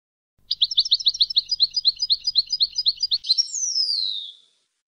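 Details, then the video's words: European goldfinch singing a campero competition song: a rapid run of identical sharp, high chips lasts nearly three seconds, then finishes with a long, falling, whistled slur. The background is quiet. "El Jilguero BiH 20"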